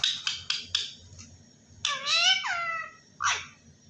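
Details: Parrot talking Allah Hoo: four quick raspy clicks, then a long wavering, drawn-out vocal phrase and a final short hoarse syllable, followed by human laughter.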